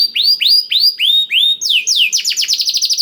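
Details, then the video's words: Canary tutored with blackthroat song, used as a lure to get canaries singing: a series of sweeping downward-curving whistles about three per second, then faster, higher descending notes in a quick repeated run. "KENARI ISIAN BLACKTHROAT #175 || VOICE OF CANARY"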